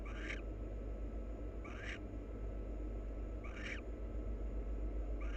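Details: Preening pair of wild barn owls. Four short buzzy chirps with a rising edge, spaced about one and a half seconds apart, over steady low background noise.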